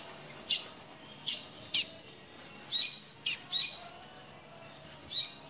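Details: A caged double-collared seedeater, described as frightened and wanting to leave its cage, gives harsh, high, scratchy chips, about seven at uneven intervals over five seconds, against a quiet background.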